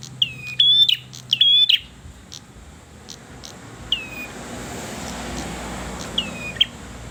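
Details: Persistent singing from a red-headed bird. A loud opening burst of rapid, high, downslurred whistles is followed by sparser single notes spaced a couple of seconds apart, against low background hum.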